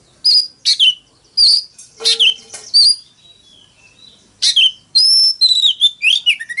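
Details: Decoy Oriental magpie-robin giving a forest-style fighting song to spur rivals into singing: clear sliding whistles, a harsh scratchy burst and quick falling notes come in short phrases about a second apart, with a brief lull midway.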